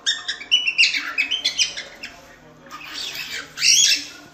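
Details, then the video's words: Cockatiel singing: fast run of sharp, bright chirps, then a softer stretch ending in a loud, hissy, noisy burst. "Cantos e Assobios Para Calopsitas"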